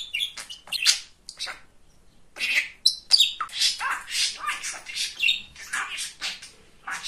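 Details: Pet male budgerigar, a talking bird called very chatty and funny, pouring out a fast stream of high, squeaky, warbling chatter with sharp clicks and chirps, briefly pausing before resuming steady babble.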